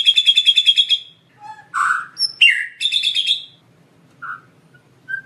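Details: White-rumped shama in energetic gacor full-isian lure song: a rapid rattling trill, then a mix of low mellow notes, harsh bursts, a second trill and soft rising whistles with pauses.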